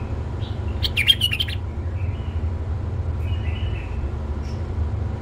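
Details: Tame male bulbul delivers a brief burst of sharp, clicky notes around one second in, followed by a few soft, thin whistles. A constant low hum runs underneath.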